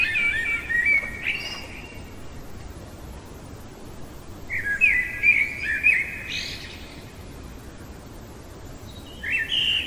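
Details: Common blackbird singing in the middle of the night: mellow, fluting whistled phrases around the mid range, each ending in a higher twittering flourish, delivered in separate bursts with quiet pauses between them over a faint steady background hiss.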